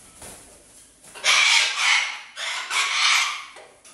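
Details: Pet parrot kept in a house alongside other exotic animals, said to be in a very good mood, giving two loud, harsh, broadband screeching squawks of about a second each after a quieter opening.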